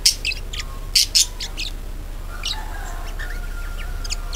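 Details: Budgerigar chatter played to lure other budgies into singing: loud sharp chirps at the start, then softer scattered chattering notes and a faint whistled tone.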